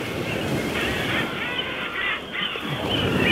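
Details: A dense chorus from a large guillemot colony on knife-edge Arctic cliffs, with harsh, growling and honking calls overlapping without pause over a steady rush of wind and water, possibly a waterfall.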